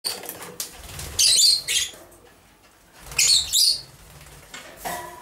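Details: Two male masked lovebirds, dominant edged blue and dominant edged D blue, seven to eight months old, moulting and preening each other; shrill high chirping bursts come in two loud clusters about two seconds apart, then a shorter note.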